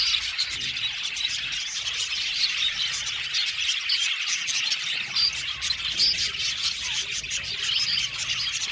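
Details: Budgerigar flock of about seventy pairs in an aviary, keeping up a constant scratchy, high twitter with scattered brighter chirps and squeaks over the background chatter.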